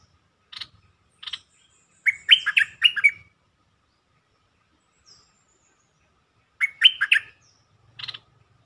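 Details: Lure recording of a bulbul meant to stir up birds: single sharp chirps, then a quick, liquid warbled phrase of four or five notes, repeated after a pause, ending with another chirp.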